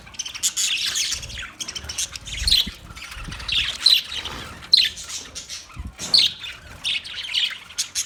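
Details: Budgerigars chattering on 9 March 2024 in steady high, scratchy chirps and warbles, with brief louder squawks every second or so.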